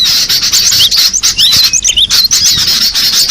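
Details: Cinereous tit in the wild: a dense, busy stream of high, quick chirps and short slurred twitters, overlapping rapidly as though several birds call at once, with brief dips between bursts.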